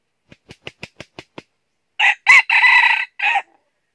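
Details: Red junglefowl decoy luring wild junglefowl toward a trap in the north: seven soft rhythmic clucks or taps, then a loud broken crow with a short rising note, a long rasping phrase and a clipped final burst.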